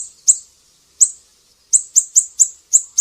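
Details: Siri-siri giving sharp high chips, tutor song for cage birds, two isolated notes followed by a quicker even series of five.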